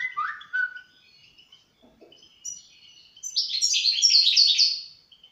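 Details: Song of a European goldfinch, opening with a few clear lower whistles, then quieter high notes before breaking into a rapid, loud tumble of tinkling twitters and buzzy trills.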